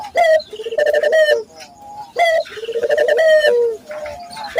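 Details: Cooing local Barbary doves serving as a lure to get other doves singing often: two phrases, each a sharp rising first note followed by a throbbing, rolling coo, about two seconds apart.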